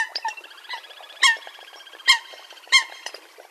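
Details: Eurasian coot hunting call recording: three loud, sharp, explosive notes spaced well apart, over a steady bed of softer chattering calls.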